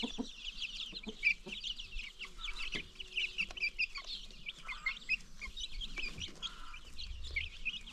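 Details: New baby chicks among free-range chickens produce a constant mass of high peeping, with a few faint hen clucks and soft low background rumble.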